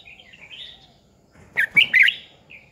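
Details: Decoy red-whiskered bulbul from 2020, singing to train and provoke other bulbuls; a soft wavering warble, then a loud burst of three quick, rich, chirpy notes, and a faint trailing note at the end.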